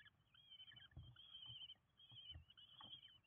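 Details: Five nestling common kestrels fed at a Windsbach, Germany nest on 27 June 2022 give shrill, quavering, trilled calls in quick succession, accompanied by low scuffling knocks.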